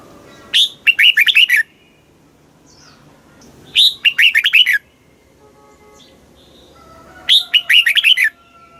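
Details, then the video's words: Red-whiskered bulbul singing a southern master-style phrase played to caged birds; three loud bursts of liquid whistles, a sharp high start then a fast run of falling notes, repeated roughly every three seconds with quiet gaps. "เสียงนกกรงหัวจุก ร้อง ริก เปิดให้นกฟัง ยั่วให้นกคึกจัด chao mao hot, chào mào hót"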